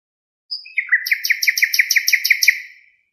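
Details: Nightingale song, the bird known locally as hassania: a brief high whistle opens into a rapid, steady string of clipped chirping notes, several per second, tapering away. No other sounds are present.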